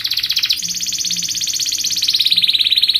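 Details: A Belgian canary sings fast, tight trilled rolls, high and continuous, shifting pitch partway through, with a faint low hum beneath; offered as a training song for young canaries learning to sing.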